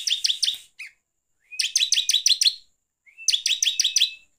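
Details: Bar-winged prinia in ngeplong style, used to provoke other birds: repeated phrases of six to eight crisp stacked chips, one opening with a brief rising whistle, with clean pauses between.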